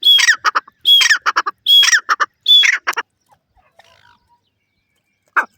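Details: Grey francolin (teetar) calling in four loud phrases about a second apart, each opening with a clear whistled note and followed by harsh rattling syllables, then near silence with one faint final note.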